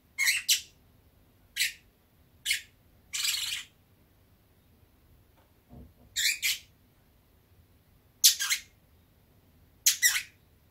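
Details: A pet Fischer's lovebird, drowsy in warm sunshine, gives harsh, scratchy chirps and squawks in short bursts, about eight over ten seconds at an uneven pace, in a quiet room.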